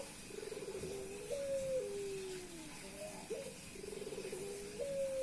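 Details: A male Puter Pelung dove coos without stopping after meeting a female. Pulsing rapid trills step up into long clear notes that drift downward, and the phrases repeat twice in quick succession over low hiss.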